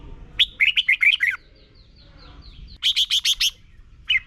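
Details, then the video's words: Red-whiskered bulbul from Thailand, played each morning so young birds learn to sing: a quick burst of about six warbled, bubbling notes, then a faint pause and a sharper run of five even chirps, with a last short note. "นกกรงหัวจุก - 30 นาทีทุกเช้า เพื่อให้นกเรียนรู้ที่จะพูดได้อย่างรวดเร็วและหนักแน่น"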